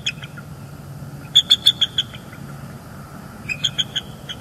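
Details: Bald eagle pair at their nest in northeast Florida on an early January 2022 morning, calling as the male arrives to take over incubating the eggs. Two bursts of high, thin, staccato piping notes come in quick runs, separated by a quiet pause.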